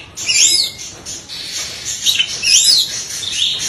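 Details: Oriental magpie-robin delivering tembakan beruntun, rapid-fire bursts rich in isian phrases: sharp high whistles sweeping down and up, repeated several times within a few seconds over a hissy background.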